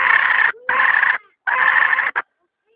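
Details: Domestic hen repeating loud, raspy, sustained squawks about half a second long, three in a row with short gaps, ending in a brief clipped note.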